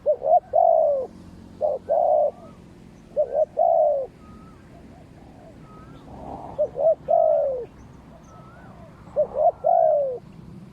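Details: Cooing of a decoy spotted dove replying to wild doves: paired short notes leading into a long sliding coo, repeated five times, with a fainter second dove's thin rising notes between phrases.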